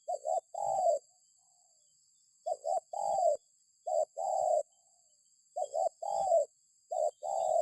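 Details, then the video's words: Spotted dove calling, used as a lure to make other birds call at home or in a yard: a low cooing phrase of two short notes and one longer drawn coo, repeated about every three seconds, with a steady faint high hiss behind. "Suara Burung Tekukur || Cocok Untuk Pancingan Di Rumah/Di Laman ||Burung Langsung Ikut Bersuara"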